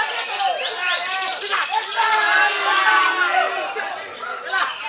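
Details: A Belitung Island white-rumped shama in top form pours out rapid, overlapping whistled phrases and rolling trills, with steady talking and crowd noise underneath.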